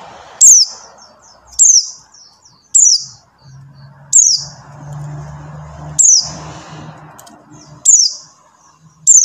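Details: Buxtoni white-eye lure call for silent white-eyes: eight sharp, high, falling whistles about every one and a quarter seconds, over a low hum and a broad background hiss.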